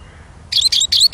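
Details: Eurasian siskin song: a quick run of high, thin, twittering chirps that starts after half a second of quiet and ends in four close bursts.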